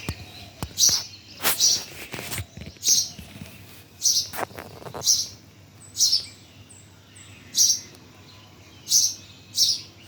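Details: Bird chirping in Bhimtal: short high, sharp chirps repeated roughly every second to second and a half over ten seconds, with faint clicks and scattered background noise.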